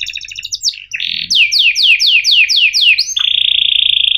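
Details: Singing canary, a 'cuit ngerol' training piece for young birds learning to sing: about seven sharp downslurred whistled notes in a row, then a long steady buzzing trill.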